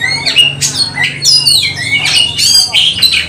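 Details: Magpie-robin in combat singing: short, intense flurry of downslurred whistles and harsh squawky notes, closely packed, with a steady low electrical hum in the background.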